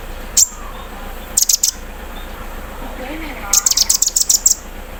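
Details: Sunbird singing in the morning while set out in the dew; isolated high chips, then a burst of fast metallic clicks, with a faint murmur of talk underneath.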